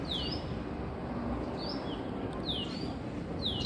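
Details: Female Asian koel calling in the morning: sharp, high, downslurred whistled notes, some in quick pairs, repeated roughly once a second over a steady background hiss.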